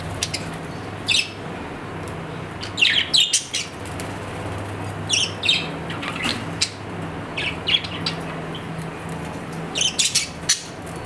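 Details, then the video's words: Pet budgerigar chattering in frequent short chirps, some clustered in rapid runs, with a steady low hum in the background. "My Australian parrot | Budgerigar"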